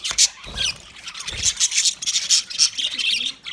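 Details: Budgie chirping in sharp, squawky high notes and short bursts, with a few quick twitters between louder peaks.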